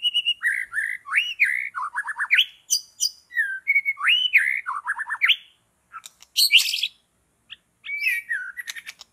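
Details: Long-tailed white-rumped shama in forest where birds are being trapped, delivering a fast, varied song of looping fluty whistles and sharp chips, with a short pause before more scattered chirps and trills.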